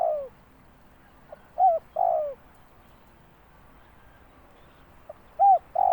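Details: Spotted dove calling: scattered short coo notes, a few with a longer falling coo, separated by pauses of quiet background.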